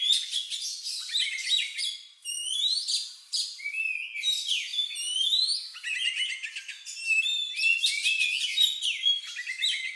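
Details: An Oriental magpie-robin sings an odd, lovebird-like song meant to stir other birds into singing. Rapid chattering phrases mix rising and falling whistled slurs with rattling trills, almost without pause.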